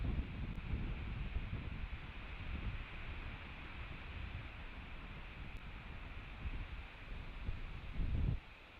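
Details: Low wind rumble and rustling at a nest camera in the evening, with no animal call heard.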